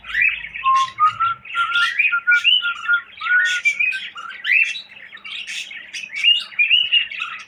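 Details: Cockatiel kept as a pet, whistling indoors: a run of clear whistled notes, some flat and held, some sliding upward, mixed with short chirps and rough squawky bursts. The phrases repeat almost without pause.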